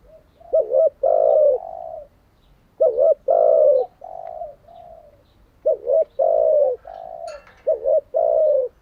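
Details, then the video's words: Spotted dove decoy used to train captive doves, cooing steadily: each phrase a clipped double note, a long rolling coo and softer trailing coos, repeated three times, with a brief rustle. "Tiếng chim cu gáy mới nhất, dùng luyện chim gáy bổi và mồi hàng ngày"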